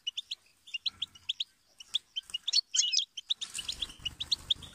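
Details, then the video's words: Goldfinch song of quick, high, tinkling chirps in irregular runs with a brief busy twitter mid-way; low rumbling noise joins near the end. "inspiring Goldfinch Chirps And Sing"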